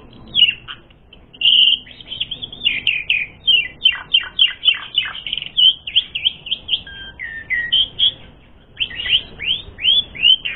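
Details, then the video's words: Long, varied Asian pied starling song played to stir birds into fighting: whistles and held notes give way to a rapid chattering string of downslurred notes, then more looping whistled phrases. "Suara Burung Jalak Suren Gacor Full Isian Mewah Jadikan Suara Pancingan Jalak Suren Tarung"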